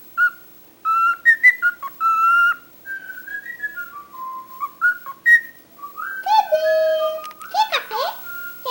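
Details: Talkative pet cockatiel whistling a tune of short and held notes that step up and down. It ends in harsher buzzy phrases, swooping whistles and clicks.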